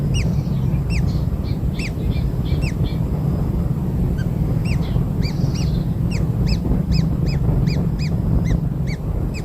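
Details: Freshly hatched kingfisher chicks receiving black insects call with quick peaked chirps in an uneven stream that grows denser toward the end, over loud low-pitched rumbling.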